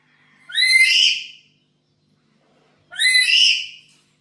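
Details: Black-capped lory kept at home, lure calls: two long, raspy, rising screeches of about one second each, spaced roughly two and a half seconds apart.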